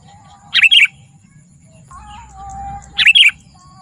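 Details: Two quick, gurgling whistled phrases from a sooty-headed bulbul, about two and a half seconds apart, with a faint low rumble between them. Lively gacor song for luring wild birds and tutoring.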